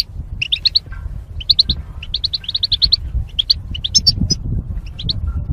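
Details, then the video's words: A goldfinch sings a quick, liquid twitter of bright chirps and tinkling notes, strung in rapid runs with brief pauses, over a low background rumble. "Goldfinch Chirping Sounds"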